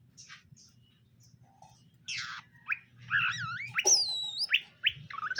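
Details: Greater green leafbirds, a male and a female kept together for pairing, giving sharp chirps, then sweeping whistled notes that rise and fall in wavy loops, ending in short bright calls.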